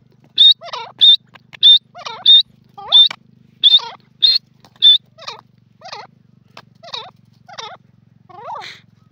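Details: Grey francolin in a jungle giving a steady series of about a dozen calls, roughly two per second, each a sharp high note with lower looping tones. The series softens toward the end over a faint low hum.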